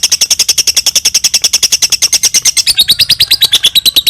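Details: Lovebird giving a long ngekek song, suited as a tutor for training other birds: a fast, steady run of high, sharp chattering notes, about eight per second, holding level then dipping slightly lower near the end; in a small room.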